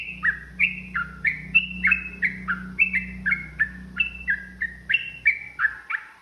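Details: Yellow-vented bulbul fighting song, a long run of quick chortling notes stepping up and down about three per second, with a steady low droning hum beneath most of it.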